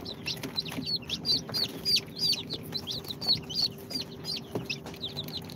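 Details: Chicks two days after hatching in an incubator, Sultan, Golden Sebright, Cochin and booted breeds, keep up a fast run of sharp high chirps, roughly three each second, each sliding downward, over a low hum.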